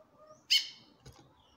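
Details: Female chestnut-bellied seed finch calling to a male: one loud, sharp, harmonic chip-like call lasting a fraction of a second, then near silence with a faint tap.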